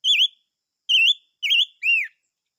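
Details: Four loud whistles from chim ngũ sắc, three wavering and level, the last an arched, down-sweeping slur, given at roughly half-second intervals.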